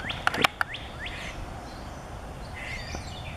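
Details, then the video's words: Male Rose-breasted Grosbeak singing in a backyard on 4 May 2017: a few short, rising whistled notes, then a faint warbled phrase. Several loud knocking clicks come at the start, over a steady low background rumble. "Rose-breasted Grosbeak (male) singing"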